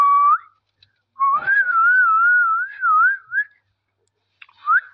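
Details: Parrot chatting with its owner indoors: a short rising whistle, then a long wavering whistle that rolls up and down for about two seconds, and a last quick upswept note after a pause.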